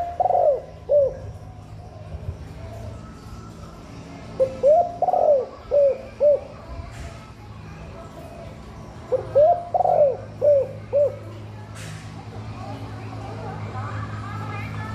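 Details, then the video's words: Female spotted dove giving breeding-stimulation calls: three repeated phrases of soft arched coos, each with a longer swelling note, over low background hum and a few faint clicks. "Chim cu gáy mái bài bản thúc ổ giúp cu gáy mái sung mau đẻ, cu trống căng lửa, suara terkukur"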